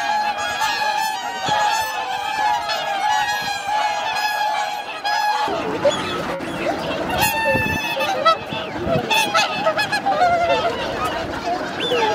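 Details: Large wintering swan flock at Lake Hyoko, Agano City, Japan, January 2022. Continuous trumpeting honks overlap. Partway through, the sound shifts to a closer, louder mix of sharper calls and splashy noises.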